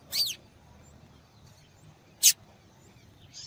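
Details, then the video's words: A female yellow-bellied seedeater gives a few high calls. A loud, slightly descending chip comes first, then a sharp chip about two seconds later, and a soft note at the end. The background is otherwise quiet. "Fêmea de Papa capim Chamando Muito !"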